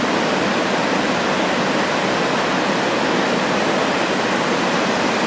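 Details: Continuous rushing water like surf or a fast stream fills the whole recording, with no animal calls heard.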